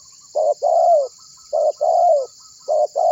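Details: Spotted dove, a frequent caller, cooing to get other birds to answer, meant for luring: three evenly paced couplets of a clipped coo followed by a longer, downward-sliding coo, roughly every 1.2 seconds, over a continuous high-pitched hiss.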